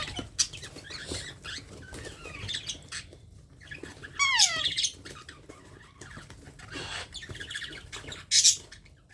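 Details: Young parrot being hand-fed gives scattered short chirps, one strong, grating call that slides downward midway, and a sharp squawk near the end, over light handling noise.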